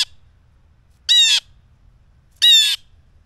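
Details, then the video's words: Blue jay screaming in front of the camera before snatching peanuts: harsh, buzzy shrieks about a third of a second long, spaced over a second apart, with faint low rumble beneath. "Blue Jay Shrieking"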